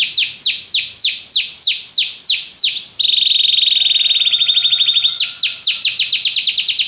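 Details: Belgian canary singing repeated descending whistled sweeps, then a long steady buzzing trill on one pitch, followed by another run of swept notes.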